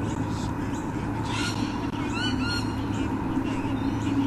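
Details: White-bellied Sea Eagle at its nest in Olympic Park, Sydney, Australia, early morning 13 October 2014, gives short, nasal, goose-like honks in a loose series over a steady low hum.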